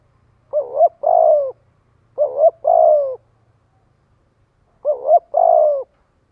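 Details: Spotted dove giving its flock-gathering lure call: three two-part coo phrases, a quick warbled pair of notes then a drawn-out descending coo, with a longer pause before the last; quiet background.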